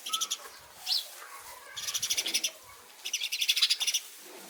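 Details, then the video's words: House sparrow chirping in three rapid bursts of sharp, repeated chirps, each run of about eight to ten notes, with soft bird twittering behind. "Sparrow Chirping sound | 4K videos | House sparrow sounds"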